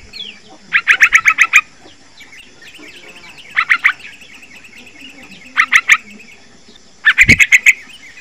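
A young Yellow-vented Bulbul gives short bursts of quick, bubbly chattering notes, four or five to a burst, every couple of seconds over a faint steady hiss.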